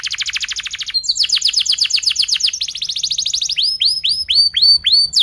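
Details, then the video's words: Long, intense canary song for training juvenile birds: fast rattling trill, then rolling runs of sweeping notes and slower, repeated downward-swooping whistles. "KENARI GACOR PANJANG Rol Rapat EMOSI Cuit cuit Ngerol AMPUH utk Pancingan kenari paud belajar bunyi"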